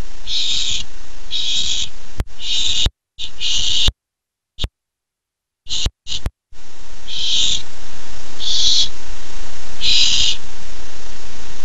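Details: Barn owlet at a nest, July 13, 2015, excited for its first treat, utters rasping hisses broken by several abrupt silent dropouts, then three more spaced wider apart.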